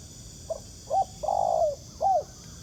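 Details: Wild spotted dove cooing in answer to a ground decoy during trapping, a strong, good-looking bird. A short soft note, then a hooked coo, a long drawn-out mellow coo and a final hooked coo within two seconds, over faint insect hum.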